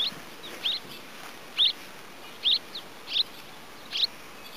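Red-rumped Swallow giving short, high chirped notes, roughly one a second, each a quick twisting squeak over a faint steady background hiss.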